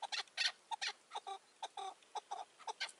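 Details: Chukar partridge recorded in May 2024 during roof-trap hunting with a caged decoy bird while wild partridges stay on the ground. Short, harsh clucking bursts come in uneven groups, some doubled, with brief gaps between.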